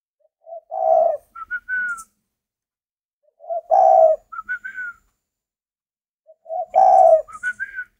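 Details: Spotted dove kept by a breeder in Vietnam, cooing three times about every three seconds: each phrase a short low note, a loud burry coo, then three quick whistled notes stepping upward, with a faint high click.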